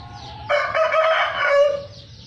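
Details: One crow from a farmed Sumatran Red junglefowl: it opens abruptly, holds a coarse, rich tone for about a second, and ends in a slightly falling drawn-out tail.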